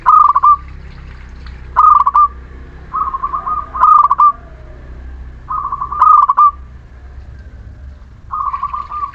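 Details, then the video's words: Local Muria zebra dove chorus-style song, meant to stir unmotivated doves to sing: repeated quick-fire stuttered coos, each ending in a short level note, coming every two seconds or so over a low hum. "Perkutut lokal Muria gacor pancingan setiap waktu perkutut malas bunyi"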